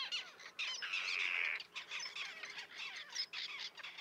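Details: Common terns in a small breeding colony with chicks on a concrete block near a breakwater, 1.5 km from the coast at Liepāja, Latvia, June 2024, filmed with a Nikon Coolpix P1000; dense overlapping harsh, squeaky calls, one drawn-out louder note midway.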